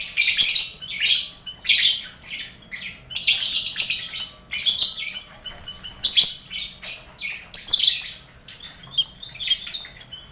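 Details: Lovebirds in a busy colony cage shared with finches and quail, recorded as mental training for contest lovebirds; shrill, scratchy chattering in dense bursts about every second, with overlapping high twitters throughout.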